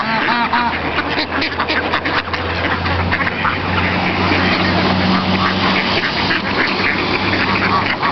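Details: Ducks and other waterfowl crowd together at Virginia Lake in Wanganui, New Zealand, squabbling over bread scraps; constant overlapping quacks and chatter, with a steady low hum underneath.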